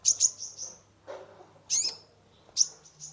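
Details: Sunbird (kolibri ninja) song played to lure and stimulate a stressed caged bird: sharp, very high chirps in a quick pair, a thin trailing tail, then a lone high chirp, with a faint low hum.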